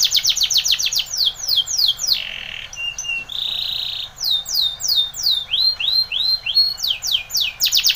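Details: Timbrado canary training song mixing rapid falling sweeps, brief buzzy and metallic rolls, then arching whistled notes and more fast descending phrases.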